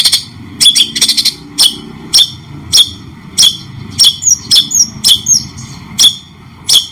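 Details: White-rumped shama training recording, billed alongside cendet (long-tailed shrike), clear with pauses: sharp, harsh, high notes spaced about half a second apart, with a few quick whistled slurs near the end over faint low background hum.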